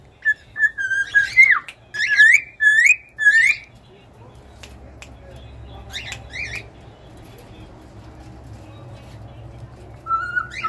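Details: Cockatiels giving a quick series of harsh, chirpy whistled notes about every half second, followed by near silence with a few scattered chirps and one whistle at the end; low room hum throughout.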